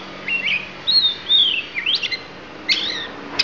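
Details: Lampung magpie-robin delivering isian, its fill-in repertoire: a varied run of bright whistles, some long and sliding downward, others short and zigzagging, ending in a sharp click-like note.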